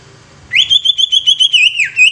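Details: Greater green leafbird singing to set off other leafbirds: a sudden, fast string of bright whistled notes at an even pitch, each quickly slurred. Near the end comes a lower swooping note, then the high notes return.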